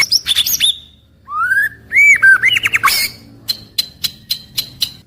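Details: Varied whistles from a white-rumped shama in its daily song: a rising whistle, arching clear notes, a harsh burst, then sharp high clicks repeated about every half second.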